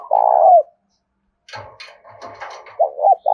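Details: Spotted dove decoy bird from Dong Nai, Vietnam, calling loudly to lure wild doves: one long low coo, a pause, then softer murmured notes and the start of further coos.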